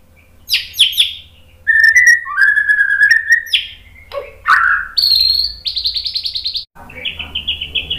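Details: White-rumped shama song for provoking birds to sing: varied sequence of sharp chirps, a long steady whistle, a harsh low note, then high rapid trills and a buzzy rattling phrase.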